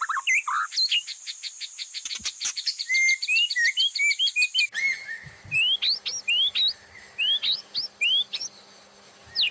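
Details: White-rumped shama master recording meant to make caged birds sing all day, with fills such as lovebird, canary and cililin. A dense rattling chatter of clicks changes at a splice to loud, separated rising whistles over a steady hum.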